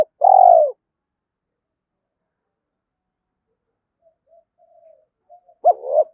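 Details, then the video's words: A spotted dove challenging a rival in the morning gives one long, vibrating, falling coo. A quiet pause follows, then a sharp short note and a rising coo. "Tiếng chim cu gáy thúc đấu với bổi buổi sáng"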